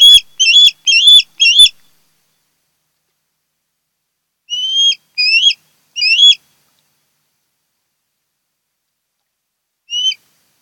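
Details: Osprey calling at a nest on Kent Island, Maryland, 10 August 2018: four quick loud whistled chirps with clicking edges, a silence, three rising whistles, then one last chirp after a long gap.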